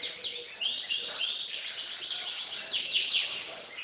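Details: Canary singing a continuous run of bright, rapid trills and chattering phrases, with louder bursts about every half second, its top register sharply cut off, over faint background hiss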